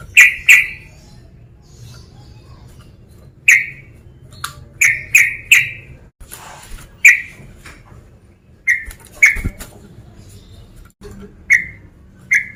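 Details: A male sooty-headed bulbul repeatedly calls out a rival over twelve seconds: sharp, clipped notes, singly or in pairs and triplets, spaced irregularly, with a low steady hum and a brief rustle partway through.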